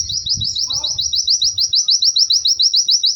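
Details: White-eye (pleci), described as lively and melodious, singing a fast run of short rising slurred whistles, about three to four per second, in a steady unbroken series over faint low background rumble and a brief lower twitter.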